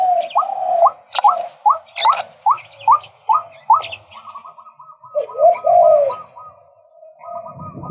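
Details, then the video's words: A male White-breasted Waterhen gives a fast series of sharp rising notes, about two or three per second, then a stutter of quick clipped notes and a harsh drawn-out croak before trailing off. "เสียงนกกวักตัวผู้ รับประกันความหมาน ชุดที่ 1"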